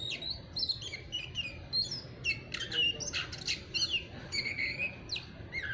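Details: Continuous "ngeriwik" twittering from a young, untrained oriental magpie-robin kept by a bird hobbyist: busy, scratchy chirps and squeaks mixed with short whistled notes, faint over background hiss.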